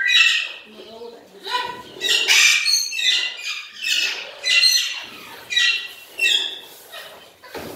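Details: Blue-headed macaw (Primolius couloni), call.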